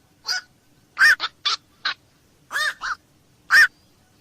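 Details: Black-crowned night heron producing several short, nasal, honking squawks in an irregular sequence, some doubled, with the loudest harsh call at the end.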